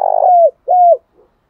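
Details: Cooing of a spotted dove, a lure call to make a newly caught bird sing: the rattling tail of a rolled coo easing downward, then one rounded coo that rises, holds and dips.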